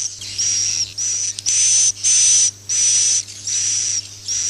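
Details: Roosting call of swiftlets used to attract them to nest houses. Harsh, hissy bursts carry a faint high whistle, repeating about every 0.6 seconds above a steady low hum.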